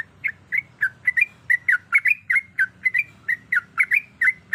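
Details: Female sooty-headed bulbul, in heat, calls for a male with quick, bright chirps. The notes are sharply slurred and come in an even, hurried run of about three per second. The background is quiet apart from a soft low rumble.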